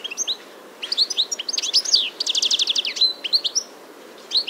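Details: European goldfinch singing in early spring, 21 March 2023, in Biryulyovsky forest park, Moscow: a fast, liquid twittering song of tinkling notes and buzzy trills, mostly high-pitched, with a rapid rattling run in the middle.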